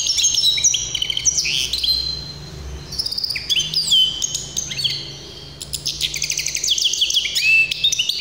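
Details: Hybrid tuffahi canary in full song, mixing sharp clicks, high whistled phrases and buzzy rapid trills, with a short softer lull midway before the dense warbling resumes.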